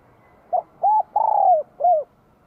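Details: Spotted dove in Vietnam, spring 2023, singing in the bell-voiced style: a soft short note, then an arched coo, a long slurred falling coo, and a final arched coo. Quiet low background.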